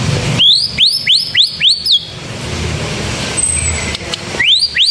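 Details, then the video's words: Canary-style phrase from a white-rumped shama: about five bright whistles sweeping sharply upward, repeated quickly. After a pause filled with traffic hiss, the same upslurred whistles return. "Murai batu suara kenari gacor"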